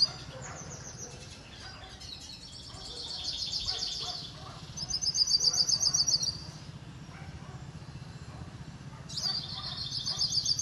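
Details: Hooded siskin singing a sustained, fast, high-pitched twittering warble in long phrases of rapid trilled notes, with brief pauses between phrases and a steady low hum beneath.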